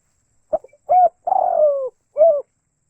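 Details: Spotted dove calling in rice fields: a short grunt, then a clean mid-pitched coo, a longer rough descending coo and a final clear coo, with a quiet background.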